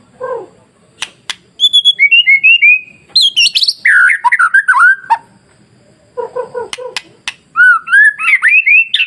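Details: White-rumped shama masteran, played to provoke other shamas into singing: rich varied song of bright whistled notes, descending slurs and fast chattering trills, interspersed with sharp clicks and short pauses.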